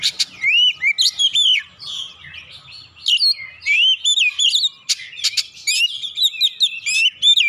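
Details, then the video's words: Oriental magpie-robin song used as a lure to rouse other magpie-robins into singing: rich, varied phrases of clear whistles, sharp chirps and rapid warbled notes in short bursts, high and bright, with brief pauses between phrases. "PANCINGAN Kacer langsung naik emosi ngotot bongkar isian"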